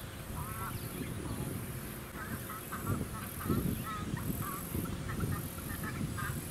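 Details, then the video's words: Pacific black duck on a small artificial lake, Sunshine Coast, Queensland, December; a run of nasal quacking notes, some doubled, over wind rumble and suburban noise. "Pacific Black Duck"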